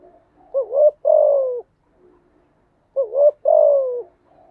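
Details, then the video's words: Training song of a spotted dove for newly caught birds: two phrases, each a quick rising double coo and a sustained downward-sliding coo, separated by a quiet gap. "tiếng chim gáy dùng tập chim bổi mới hiệu quả/ tiếng gáy kích bổi gáy ngay"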